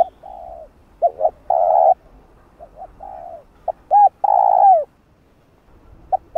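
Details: Spotted dove cooing to lure wild doves for trapping, in the 'gọi', 'thúc' and 'gù' styles: repeated phrases of short paired notes, each ending in a long, mellow, slightly falling coo, with fainter coos between.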